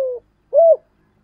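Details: Spotted dove calling in the "giọng thổ" voice style, used as a lure: two short low mellow coos, the second slightly arched and longer, followed by silence.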